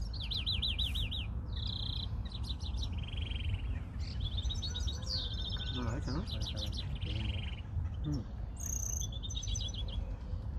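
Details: European greenfinches being tested: a lively run of zigzag trills, buzzy rattles and quick twittering phrases, one after another for the whole stretch, with constant low background hum.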